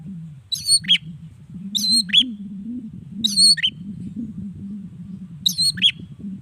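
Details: Long-tailed shrike lure song, used morning, midday and evening to make other shrikes respond. Four short high phrases, each a buzzy note ending in a whistled downslur, come about a second apart over a steady low hum.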